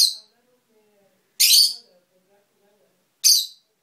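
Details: Pet bird screeching: three loud, harsh, raspy bursts, each about a third of a second long, come roughly every two seconds with silence between them.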